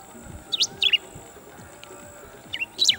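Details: From an open perch, a Bristled grassbird repeats a pair of piercing notes, a short high chip followed by a strained rising squeak, twice in three seconds, above a thin continuous high-pitched background drone.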